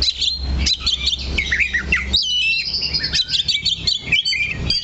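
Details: Oriental magpie-robin on a perch, singing without moving: rapid, jumbled whistles and chirps, then longer slurred phrases, with a steady low hum underneath.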